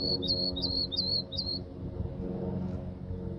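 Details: A wren of unknown kind, recorded in Palmer Park, sings four quick, high, slurred whistled notes, about two and a half per second, over a steady low hum.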